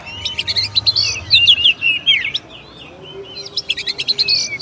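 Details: Oriental magpie-robin, locally kacer, in a busy burst of quick chirps and warbled whistles, a short lull, then another rapid chattering phrase.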